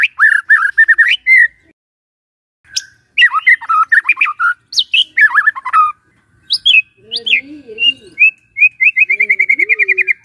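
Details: Vigorous song from a caged white-rumped shama: jumbled chattering warbles, harsh squawky notes, and a closing fast trilled series, with quiet gaps between bursts.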